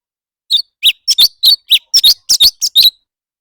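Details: Competitive singing by a leafbird: quick series of bright, high chirps and slurred whistles, roughly three per second, the notes changing shape from one to the next, over a silent background.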